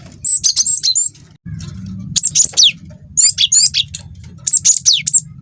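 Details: Cinereous tit, a young wingko-type bird, singing a long rolling song used to prompt other birds. Repeated phrases of high, thin notes sweeping steeply downward, in quick groups of three or four, over a low steady hum.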